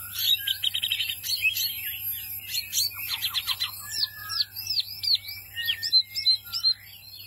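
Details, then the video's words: White-eye of the mini type singing energetically, fast varied twittering with arched whistled notes and quick trills, dense and continuous high-pitched phrases over a steady low electrical hum. "Wambi Mini Gacor"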